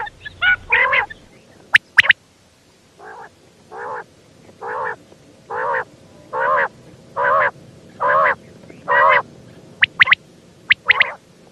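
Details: A calling female quail gives a steady series of short, buzzy, wavering nasal notes, roughly one every three-quarters of a second. A few sharp high clicks come at the start and end, over a low background hum.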